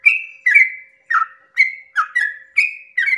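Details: Sooty-headed bulbul singing before sunrise to provoke other bulbuls; clear whistled phrases with a buzzy start and a drawn-out level tail, roughly two per second, some slightly falling.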